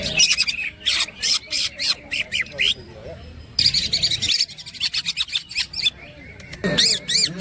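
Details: Greater green leafbird (cucak ijo) singing actively in the ngerol platukan and ngekek styles: bursts of sharp, high chirps and twisting whistled notes in quick clusters, broken by short pauses, with a low background murmur.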